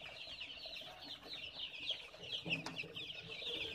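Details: Many baby chickens cheeping at once, a steady high twittering wash of short peeps, broken by a sharp click midway, over a low muffled background noise.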